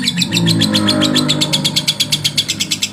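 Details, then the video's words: Male lovebird's rival-provoking song: fast, evenly repeated high chatter notes over a steady low humming drone. "SUARA LOVEBIRD JANTAN MERANGSANG EMOSI LAWAN"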